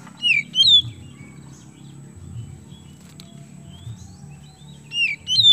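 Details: Oriental magpie-robin (kacer), a kept songbird in Indonesia, singing to provoke other birds into song: two short bursts of loud whistled, sweeping notes near the start and end, a quiet gap between, and a steady low hum throughout.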